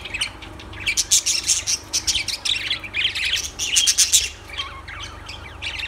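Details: Busy lovebird chatter: piercing high tweets and scratchy squeaks tumbling over one another, loudest in the middle, easing off near the end.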